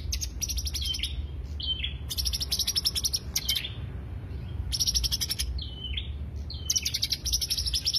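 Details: Greater green leafbird song used as a lure: clusters of rapid high chattering notes alternating with short falling whistles, in repeated phrases over a soft low rumble.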